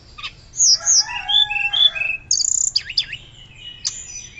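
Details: Hill blue flycatcher in full loud fluting song for luring and tutoring other birds: layered whistles at several pitches, a rapid rattling trill, then swooping V-shaped notes and a final high chirp.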